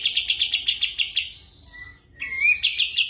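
Sooty-headed bulbul singing: a fast run of bright, rattling chirps, about eight a second, then a clear whistled note and a rising whistle before the chatter resumes.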